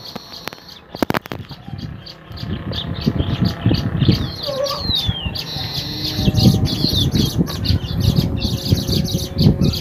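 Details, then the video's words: Baya weavers, a group at their new hanging nests, give fast, high, sharp chirps and twitters that overlap in a busy, uneven stream. Rustling and low background noise run underneath. "Baya Weaver The birds are celebrating their new home"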